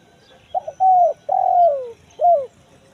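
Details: One full kuk 1 mersik phrase of a spotted dove, used to lure wild doves in the forest: a double stutter, a steady coo, a long slurred falling coo, then one short arched note.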